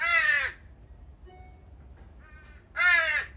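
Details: Juvenile crows left at a feeding spot one morning by at least three crow families, begging: two loud, harsh, drawn-out caws at the start and end, with faint, softer short calls in the quiet gap between.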